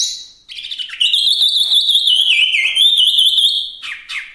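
A Chinese hwamei sings a loud, continuous high warble, rich and rapidly varied, pouring out rippling phrases for several seconds without pause.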